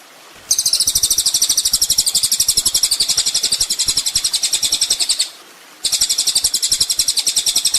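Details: Kolibri ninja sunbird in a songbird training master: loud, buzzy, rapidly pulsed high trill held for several seconds, a short break, then the same harsh trill again.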